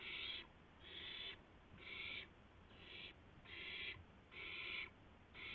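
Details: Owl on a live nest camera at 2:51 AM on 2 April 2016, one owl bringing a gopher to another; harsh, raspy hissing screeches of about half a second, repeated roughly once a second, with faint background hiss.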